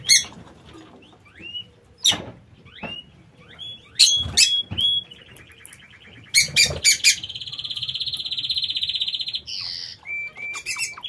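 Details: Aviary lovebirds call with quick rising chirps and clicks, then one bird gives a long, even, buzzy trill lasting about two seconds, followed by short squeaky notes.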